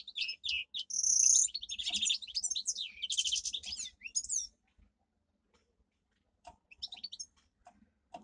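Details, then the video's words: Canary kept indoors as a pet, singing a training song: about four seconds of loud, fast trills and high whistled rolls, then near silence with a few scattered chips. "Canary singing - 2 Canary 's most powerful song for training"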